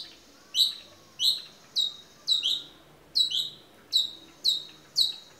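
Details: Long-tailed shrike in energetic 'toet miyik' song, for tutoring other birds: clear high whistled notes sliding sharply downward, some doubled, repeated roughly every half to one second over a quiet background.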